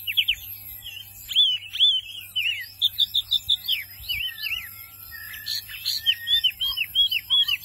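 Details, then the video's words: Lively song of a wambi mini white-eye: quick high chirps, curling whistles and twittered phrases follow each other almost without pause. A steady low hum runs underneath. "Wambi Mini Gacor"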